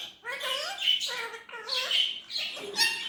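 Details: Indian ringneck parrot talking in a natural voice, giving four smooth, vowel-like harmonic phrases with clear rising and falling intonation, much like short spoken words, in quick succession.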